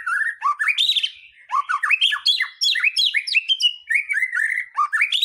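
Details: White-rumped shama in lively, nearly continuous song, played to stir other birds into singing out their fill-in material; a dense stream of ringing whistles, fast up-and-down sweeps and brief chattering notes with hardly any pause.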